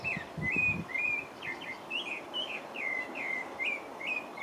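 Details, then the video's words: A pale-breasted thrush in French Guiana sings a run of short, slurred, mid-high whistled notes, about two per second, with a few low thumps early on. "Pale-breasted thrush (Turdus leucomelas) - singing"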